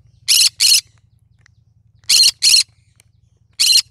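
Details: Singing cinnamon green-cheeked conure: two doubled harsh screeches followed by a single one, each burst brief and noisy, set against a constant low hum.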